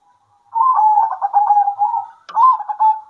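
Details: Zebra dove of a local strain singing at midday in reply to others: a fast series of chopped coos that runs into a drawn-out tone, then a short second phrase after a faint click.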